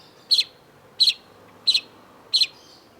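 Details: Long-tailed shrike (cendet), in vigorous song for a tutor recording: four bright, high double-peaked chirps, each a quick two-part note, repeated about every 0.7 seconds over a faint low hiss.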